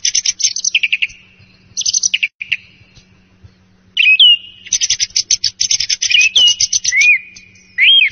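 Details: Song thrush, given as morning and roosting song, sings loud, varied phrases, each repeated several times: rapid chattering note bursts mixed with clear, ringing whistles, over a faint low hum.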